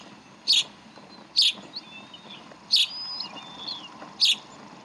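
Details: Feeding time for the chicks at the Decorah bald eagle nest, 11 April 2012. Four piercing chirps about a second apart, with faint thin whistles trailing between them and a low steady hum beneath.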